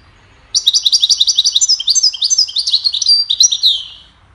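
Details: Goldfinch singing a cheerful melody meant to teach birds: a fast, continuous twitter of high, liquid chirps and slurred whistles, tumbling on for about three and a half seconds before fading.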